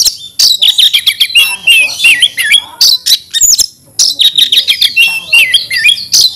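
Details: Oriental magpie-robin pouring out an aggressive fighting song: rapid runs of crisp chirps and twittering notes in dense sequences, broken by one short pause, full of varied mimic-like phrases.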